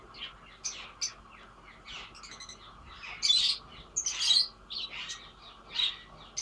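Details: Lovebirds singing: scattered high, squeaky chirps and short twittering notes, some louder bursts in the middle, with quiet gaps between calls.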